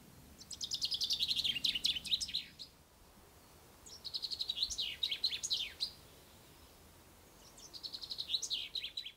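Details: Common chaffinch singing at dawn on the first day of spring in poplars on the bank of the Ucero river: three bright descending song phrases ending in a flourish, about every three seconds, over soft hiss.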